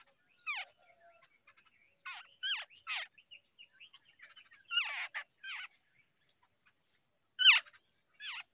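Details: Babbler chicks fed in the early morning; bursts of shrill, squeaky descending notes in irregular clusters with quiet pauses between, faint soft clicks in the background.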